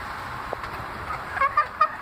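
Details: Chicken chicks in a cage giving strange, funny calls: three short, clear whistled peeps in quick succession close to the end, with steady background hiss.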